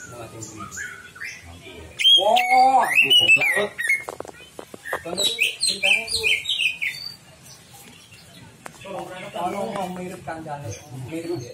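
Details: Greater green leafbird singing as a lure to prompt another bird's full repertoire. Quiet notes give way to loud, tumbling whistles, trills and chirps for several seconds, followed by softer chatter and a background of voices.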